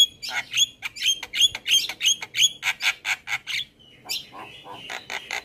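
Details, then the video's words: Javan myna in vigorous song, recorded to prompt other birds to sing: repeated harsh notes each capped with a short whistle, nearly three per second, then scratchy squawks and chatter. "Jalak kebo Gacor Parah Bikin Burung Lain yang Dengar Ikut Bunyi - Masteran Jalak Kebo Juara"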